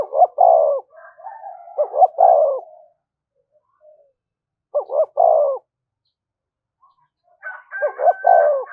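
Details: Spotted dove lure recording in the thúc gù style: repeated phrases of a quick doubled note leading into a long, deep, smooth coo, about every three seconds, with a brief higher whistled call near the end.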